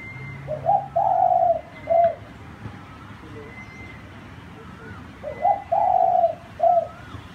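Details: Zebra dove cooing: two phrases, each a short low coo, then a longer drawn-out coo and a final short coo. Thin high whistles from another bird are heard faintly.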